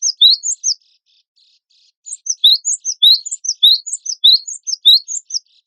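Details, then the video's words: Cinereous tit of the gelatik batu wingko type in a contest-bird training recording: a few high chirps, a short quiet gap, then a lively run of fast, sharp, downward-sliding notes. "MASTERAN GELATIK BATU WINGKO GACOR FULL MATERI ISIAN KOMPILASI SUARA BURUNG LOMBA"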